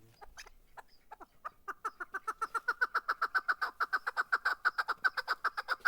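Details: Chukar partridge in Darvoz, Tajikistan, 2020: a series of loud, clucking 'chuk' notes that start slowly and speed into a steady, rapid, even chatter repeated about two or three times per second.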